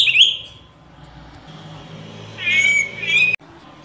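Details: Araripe manakin, a critically endangered Brazilian forest bird: a short warbled note opens, followed after a pause of low hum by a longer rich, rolling, gurgling phrase.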